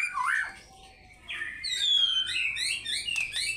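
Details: White-rumped shama in energetic fighter-style song with varied content: a swooping whistle, a brief pause, then bright descending whistles and clear slurred notes.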